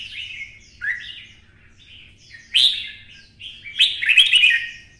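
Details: Red-whiskered bulbul kept as a caged songbird, roused to sing for fighting in a twisting voice: fluid whistled phrases rising and falling, a sharp loud note midway, then a rich rapid tumbling flourish, over a faint low hum.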